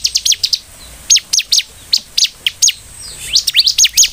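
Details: Bar-winged prinia song played as a lure to set off other prinias. High, piercing chirps come in small clusters separated by short pauses, ending in a tight burst of rising notes.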